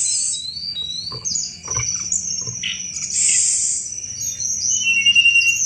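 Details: Sunda robin in busy chattering song meant to attract thrushes: buzzy high rattles and slurred whistles, a few low clicks, all over an unbroken shrill drone.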